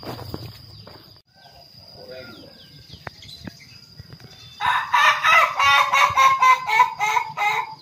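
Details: Male Ayam Ketawa, or laughing chicken, kept in a pen and trained for a long, continuous crow: faint chirps at first, then a loud rhythmic laughing series of evenly pulsed hoarse notes lasting about three seconds.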